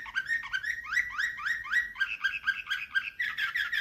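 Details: Slavujar-style canary song, nightingale type: a fast series of rising, whistled notes repeated about twice per second, each note sliding upward, ending in a denser trilled stretch.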